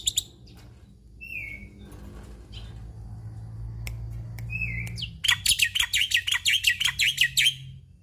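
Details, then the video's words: Black-winged myna, an Indonesian endemic known for mimicking other birds, singing with a full repertoire: two short clear whistles, then a fast run of about a dozen sharp, chattering notes, over a steady low hum. "Jalak Putih Gacor Full Isian"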